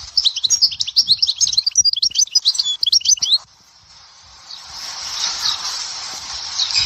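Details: A European goldfinch of Souk Ahras delivers sector Dehwara song: about three seconds of quick, high, jangling twitters and trills, then the singing stops and a steady hiss follows.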